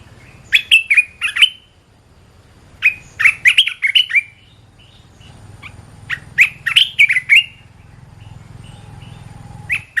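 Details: Red-whiskered bulbul singing lively 'gacor' training song: three bursts of short, bright warbled whistles, each phrase a quick run of rising and falling notes, separated by brief pauses over a faint low hum.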